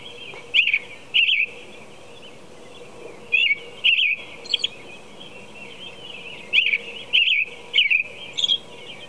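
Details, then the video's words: Singing American robin at 4 a.m.: groups of two or three liquid warbled phrases separated by pauses of about two seconds, a few higher thin notes mixed in, over faint constant hiss. "American Robin Song"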